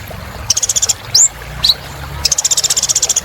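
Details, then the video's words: Brief burst of purple-throated sunbird song. A fast buzzy trill gives way to a looping high whistle and a quick rising note, then another long trill. "Kolibri Ninja Gacor Untuk Terapi Burung Macet Bunyi"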